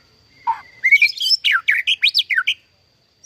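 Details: Captive-bred white-rumped shama singing a rapid, varied phrase: a low whistle, then a quick run of high, sweeping, slurred whistles and chattery notes for about two seconds, with a faint steady high whine in the background.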